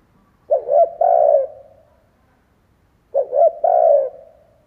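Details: Decoy spotted dove cooing to attract wild doves, giving two phrases of clipped low notes ending in a longer fading coo, with a quiet pause between them.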